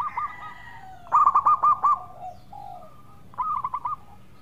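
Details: Local zebra dove in active, melodious song, recorded as a lure: a loud run of five clipped coos, a soft trailing note, then a shorter, quieter burst of quick hooked notes.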